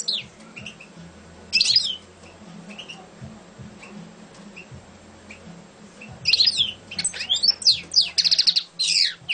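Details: Champion European goldfinch, mostly quiet at first with one brief twittering burst, then a lively run of rapid, tinkling and buzzy notes in the final third; steady low hum in the background.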